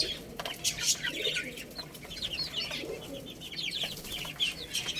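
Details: Little chicks peeping while they play and eat: soft, high, falling chirps scattered throughout, with faint rustling and pecking clicks underneath.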